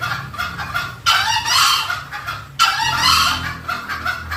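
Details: Green junglefowl call used to draw the birds in. Two strong, harsh, crow-like bursts come about one and a half seconds apart, with lighter clucking notes before and between them.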